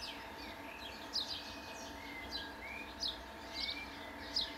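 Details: Italian sparrow calling: short, high, downward-slurred chirps given singly at irregular gaps, with a few softer chirps between them over a steady low hiss of background noise.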